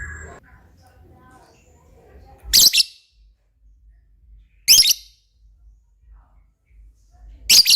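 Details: Lovebird, a lively singing cage bird; three loud harsh shrill bursts about two seconds apart, each a short rasping chatter, with near silence between and faint low sounds early on.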